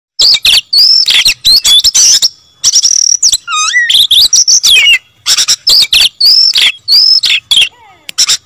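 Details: Oriental magpie-robin in full, insistent song: loud, varied phrases of whistled slurs and harsh buzzy notes crowded together, with sweeping rising and falling whistles and a brief lower warble mid-phrase.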